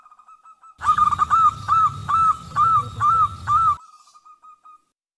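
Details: Female zebra dove calling the male, used as a lure to draw other and wild doves into calling: seven short, arched, tonal notes, about three per second, over a low rumbling hum, ending in a fading steady tone.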